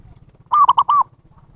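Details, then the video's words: Zebra dove calling, used as a lure for wild birds: a single crisp phrase of four rounded coos, the last one longest, in a quiet setting. "SUARA PIKAT PERKUTUT นกพิราบชวา Chim Cu Vằn | memanggil burung liar"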